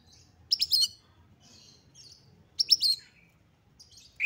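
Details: Oriental magpie-robin singing full of excitement to provoke others of its kind: two short bursts of rapid high scratchy trills about two seconds apart, separated by soft mewing whistles, against a low background hum.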